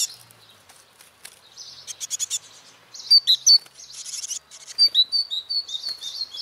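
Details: Great tit chicks being reared by a male and female, ten young hatched and fledged: scattered thin chirps, then loud grouped rasping bursts and short high whistled notes in quick runs.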